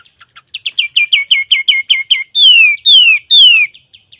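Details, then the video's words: Sooty-headed bulbul in full 'garuda isian' song meant for tutoring caged birds: a quick train of bright clipped notes, then three loud, long, falling whistles, each about half a second. "Suara Burung Kutilang Gacor GARUDA ISIAN"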